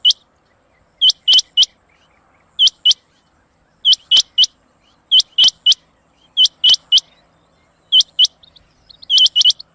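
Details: Rain quail (Coturnix coromandelica) call: sharp, high, metallic notes in quick pairs and triplets, repeated every second or so, on a quiet background.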